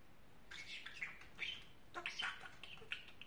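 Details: A pet talking parrot chattering quietly: a run of short, raspy, squawky syllables of shifting pitch spread over about three seconds, with light background hiss between the bursts.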